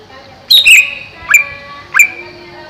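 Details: Greater green leafbird caged over a pond for coolness gives a loud double chirp followed by two ringing upswept whistles spaced about half a second apart, over a steady background hum.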